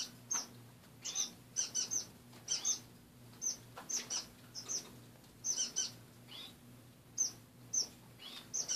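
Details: Several caged pet finches indoors in the morning, giving short high chirps in scattered bursts, with soft wing flutters between calls and a faint steady hum beneath.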